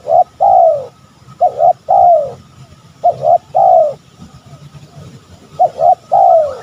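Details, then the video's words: Spotted dove, used as a lure for rival males: repeated coo phrases, each a quick double note and a long falling coo, with pauses of over a second between phrases and soft low noise. "Suara tekukur paling di cari lawan"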